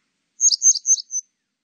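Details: Grey wagtail, 2020 national biological resources recording: three sharp, high chirps in rapid succession followed by a softer fourth note, in silence.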